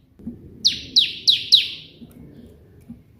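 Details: Bar-winged prinia giving the white-prinia 'shot' version of its song, for training other birds: four evenly spaced, bright, falling chips in under a second, over a low murmur of background noise.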